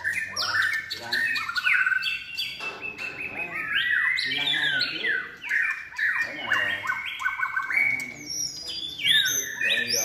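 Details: Contest-trained White-rumped shama in its third moult season singing continuously: rich, fluty whistles mixed with quick falling slurs, harsh chattering notes and brief trills in a fast, ever-changing stream.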